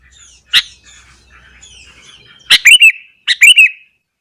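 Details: Sooty-headed bulbul in the morning, singing to provoke other bulbuls: a single sharp chip, faint soft twittering, then two loud phrases of quick, bubbly, down-curving notes.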